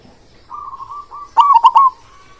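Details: Zebra dove of the local type, a big-voiced frequent singer used as a tutor for silent birds; a drawn-out soft coo, then a loud triple-stuttered coo and a trailing murmur.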